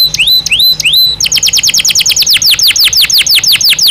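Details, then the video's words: Singing naturally, a Belgian canary gives three rising slurred whistles, then launches into a quick rolling trill of repeated downward-sweeping notes. The song is offered for daily training of canary song. "Som de 1 Hora com Canario Belga Cantando Naturalmente"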